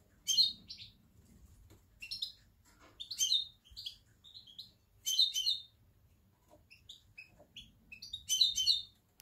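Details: European goldfinch, recorded in October, delivering short bursts of bright twittering notes at irregular intervals over a low background hum.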